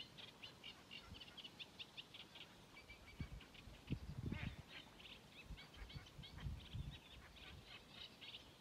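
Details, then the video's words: Sedge warbler singing at Mingen, Njurunda, Sweden, on 12 June 2023: a fast, chattering stream of harsh, scratchy notes and buzzy trills over low rumbling noise, with a common cuckoo also audible in the background. "Sävsångare spel/sång"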